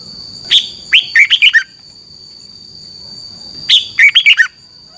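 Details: Red-whiskered bulbul, a caged bird from Thailand, singing double-style song: two matching phrases, each opening with a sharp high note then a rolling run of falling, whistled notes, over faint steady high-pitched tones.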